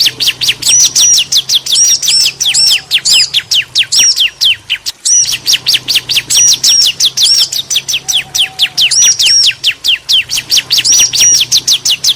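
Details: Bar-winged prinia, a female and a male answering each other: fast, loud series of sharp descending chirps, roughly six per second, mixed with higher looping whistled notes, with a brief pause midway.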